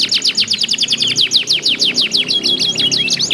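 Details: Short burst of canary contest singing meant to prompt other canaries: quick high downward sweeps and rolling notes, about three per second, with a low background hum underneath.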